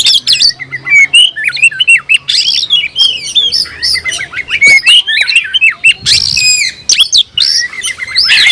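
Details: Kept oriental magpie-robin singing fiercely with tail raised to challenge an opponent: rich loud whistled phrases mixed with harsh squawks and rapid chattering.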